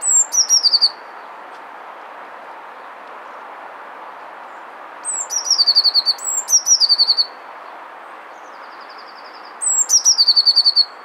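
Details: Courting Eurasian blue tit singing to a female. Four phrases come in about eleven seconds, each made of piercing high introductory notes and then a brisk, even trill. Long quiet gaps hold only gentle hiss.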